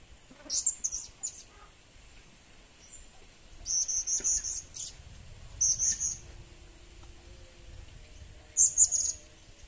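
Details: Blue-crowned hanging parrot, or serindit, a future lure bird, giving bursts of thin, very high squeaky chirps in short clusters roughly every two to three seconds, with a quiet low hum underneath.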